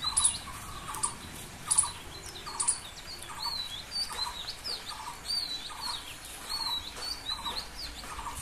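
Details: A tailorbird eating from a large umbrella gives quick, high, thin chirps over steady background noise, with a soft note that repeats about twice each second.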